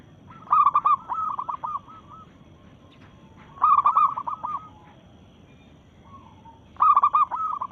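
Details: Zebra dove, a local bird in breeding mood, singing to challenge rivals: soft cooing phrases of rapid stuttering trilled notes, each phrase about one second long, repeated every three seconds over low background hiss.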